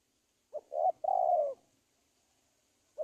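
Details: Spotted dove lure call for trapping wild doves: a single phrase of two brief low hoots and a long level coo, followed by silence and the first hoot of another phrase.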